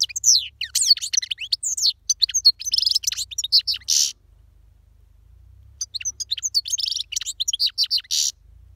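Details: European goldfinch singing powerfully: fast, high twittering song of tinkling chirps and buzzy notes, a burst of about four seconds, a short pause, then a second lively burst of similar jangling phrases.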